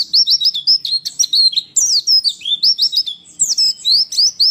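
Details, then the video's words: Female white-eye (pleci) pours out a fast, high twittering song of thin rising and falling chirps, several per second, without pause; used to provoke male white-eyes into answering and singing, as in the wild. "masteran pleci malas bunyi akan langsung respon dan emosi"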